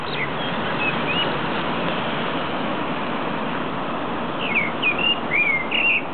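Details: Wild bird singing in February at the end of Västerbron bridge, Västerbroplan, heard while walking home; brief high whistled warbling phrases with quick upward slides, one near the start and a run of several in the last two seconds, over a constant roar of traffic.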